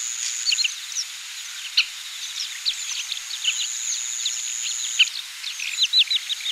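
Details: Oriental pratincoles, a summer breeding visitor in Taiwan, recorded on 20 April 2016: many short, sharp chirping and chattering notes overlap in a busy flock chorus, with a steady high insect-like whine running through most of it.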